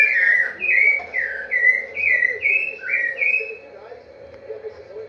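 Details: Rufous-bellied thrush whistling its "vovó viu" song, a row of smooth slurred notes about one a second that fade out in the last second, leaving quiet background.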